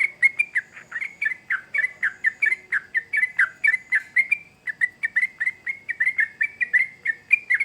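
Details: Busy, persistent chirping song of a sooty-headed bulbul, with clipped, bright notes tumbling one after another, a brief hitch near the midpoint, then an equally rapid continuation.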